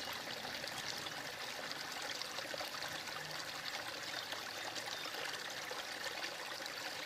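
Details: Steady rushing and trickling of flowing stream water fills the recording, with no animal calls heard.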